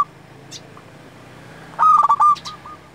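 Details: Local zebra dove, a lively singer kept for luring and tutoring other doves, gives one cooing phrase: a quick burst of clipped notes running into a sustained hollow coo, then a few softer trailing notes, after a faint start.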